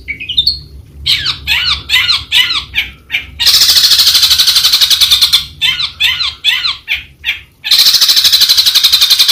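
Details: Long-tailed shrike in a mixed song: one rising whistle, then repeated scratchy chattering phrases broken by two long, harsh, grating buzzes, each lasting a few seconds.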